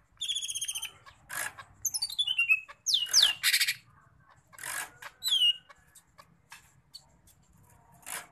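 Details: Sumatran leafbird (cucak ijo medan), a kept bird, in full mimicking song: rapid stacked trilled notes, descending whistled slides, harsh rasping bursts and a loud rising whistle, delivered in varied phrases with short gaps.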